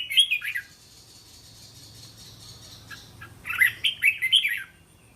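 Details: Red-whiskered bulbul in a cage, teasing-style linked song used to coax young caged birds into singing back: a short burst of warbled, slurred notes, a long pause, then a longer bubbly phrase of four or five quick notes, with a faint steady hum.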